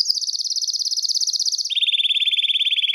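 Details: Belgian canary song used to warm up males and bring females into breeding condition: a rapid high rolling trill that drops abruptly to a lower, equally fast rolling tour midway.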